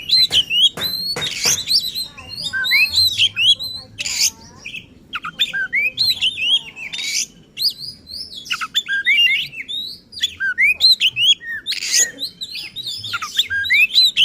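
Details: Excited oriental magpie-robin pouring out a varied song meant to provoke rival magpie-robins: rapid whistled phrases, harsh squawks and rattling chatter in continuous bursts, with some sharp clicks.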